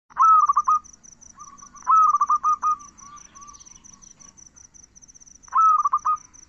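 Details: Zebra dove song: three loud phrases, each a short rising coo that breaks into a fast stuttering trill, spaced about two seconds apart. A steady high pulsing insect chirr runs throughout.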